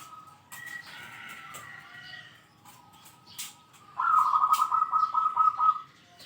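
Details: Zebra dove, a kept singing bird, calling out rivals: soft notes at first, then a loud, rapid trilled run of cooing notes for nearly two seconds.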